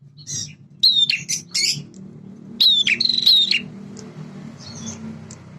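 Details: Male bar-winged prinia singing in a lively, vigorous way, used to stimulate young birds to respond: two bursts of buzzy, scratchy high notes with thin whistled strands, separated by quiet pauses.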